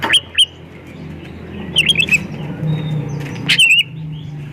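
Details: White-rumped shama singing to prompt other shamas to sing: a few clipped, bright whistled notes at the start, then a rapid cluster of sharp chirps and a final buzzy flourish, over steady low rumbling noise.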